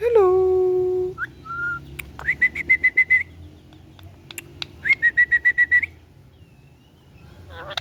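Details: Green ringneck parrot kept as a pet: a held speech-like phrase, then short whistles and two fast runs of evenly repeated chirping whistle notes, about eight each, on one steady pitch.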